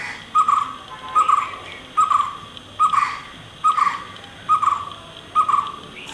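A White-cheeked barbet repeats a short, mellow trilled note at a steady pace, just over one a second, over a faint, even background hum.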